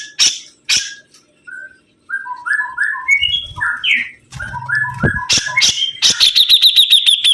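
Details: A sibuntung bird in lively, energetic song: a string of clear mid-pitched whistled notes climbing in steps, then a fast run of high bright repeated notes at the end, with sharp knocking clicks and a low hum in the background.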